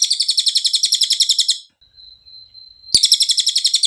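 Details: Cililin song in a clear training recording for songbirds: a fast high chatter of repeated notes, then a thin steady whistle-like tone during a pause, a click, and the chatter resumes.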